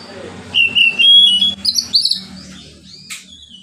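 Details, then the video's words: Relaxed oriental magpie-robin song meant to provoke sluggish magpie-robins into singing; a string of bright whistles, held notes and warbling slurs over two seconds, with faint low hum behind. "KACER NGEPLONG SANTAI COCOK BUAT PANCINGAN KACER MALAS BUNYI."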